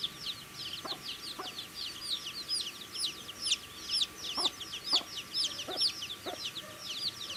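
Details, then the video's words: Cute baby chicks chirping while eating, a busy chorus of high, quick, downslurred peeps about twice a second from several chicks, with scattered pecking taps and a low constant hum. "Baby Chicken Eating Food | Cute Baby Chicks Chirping Sounds"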